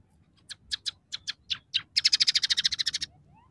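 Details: Scaly-breasted munia in full song, its song said to include imitations of house sparrow, red siskin and canary: about eight scattered high, scratchy notes, then a fast, even trill of about a dozen notes in about a second. No other sounds.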